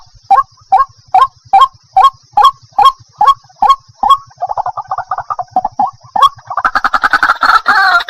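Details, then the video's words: A white-breasted waterhen repeating short upward-bent croaks about twice a second, then breaking into a rapid chattering run and finally a loud, dense, harsh chorus of calls. "Jal murgi ka sound effect mp3 calling sound || water hen"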